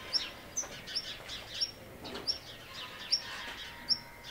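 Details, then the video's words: Black redstart watched on camera, giving short, thin, high call notes: about eight sharp tsip-like calls spaced roughly half a second apart, with faint background noise. "Hausrotschwanz vor der Kamera. Black Redstart observation"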